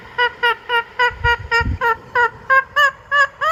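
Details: Steady series of short, nasal, harsh calls from an Indian ringneck parakeet, about three and a half per second, each note slightly rising at the end.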